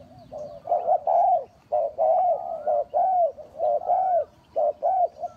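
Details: Spotted dove call used to lure doves into a trap. Rhythmic, throaty coos in grouped phrases, each note swelling and falling, come close together with brief pauses between groups.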